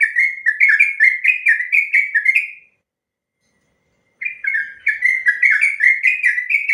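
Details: Trucukan, or yellow-vented bulbul, in a long ropel song meant to train and provoke captive birds: rapid bubbling whistled notes for over two seconds, a silent pause of about a second and a half, then the same rapid run resumes.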